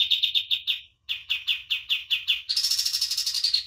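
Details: Common iora song used to train birds: evenly spaced sharp chirps, a short break, more chirps, then a fast, buzzy, higher rattle to close.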